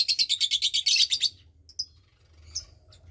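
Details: Lovebird chick about 20 days old, one of two in a nest with its parents, offspring of Parblue Turquoise and Euwing Blue Opaline birds; rapid high raspy chirps pulse about a dozen times in just over a second, then scattered faint squeaks.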